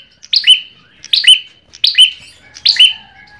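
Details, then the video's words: Lure song of an Ashy tailorbird: four bright, high-pitched chip phrases, each a quick burst ending in a clear whistled note, spaced under a second apart in a quiet setting. "pancingan perenjak kepala merah"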